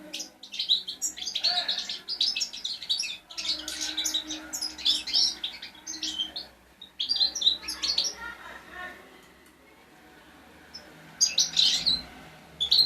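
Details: European goldfinch fledgling song played to encourage silent birds to sing: bursts of fast, high twittering and tinkling notes separated by short pauses, with a quiet gap before a final burst of chirps.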